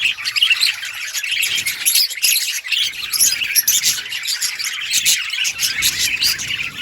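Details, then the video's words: Dense, continuous budgie chatter: overlapping high chirps, squeaks and warbling notes without a break, steady in loudness throughout. "Budgies birds sounds parakeet chirping sounds"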